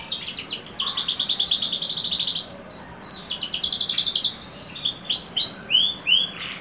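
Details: Canary of the Kenari trah YS X SF line singing a rapid, continuous song: fast trills of repeated high notes, then swooping slurred whistles and chopped descending notes, loud and unbroken throughout.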